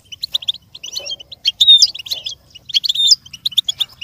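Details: Twittering goldfinch song for a goldfinch to copy, with rapid clipped notes in short phrases broken by brief pauses and several ringing, slurred whistles and rattling trills.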